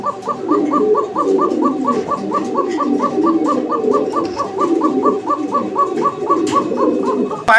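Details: A pair of fancy domestic pigeons at a loft in Uttara, Dhaka, 11 May 2025, coo in low, throaty rolling waves without pause, while a quick, even ticking chirp repeats several times a second above them.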